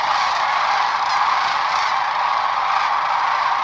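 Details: Sandhill cranes in spring 2015 on the Platte River near Gibbon, Nebraska, stirred into panic by a passing hawk; loud, dense, continuous roar of overlapping rolling calls from the whole flock.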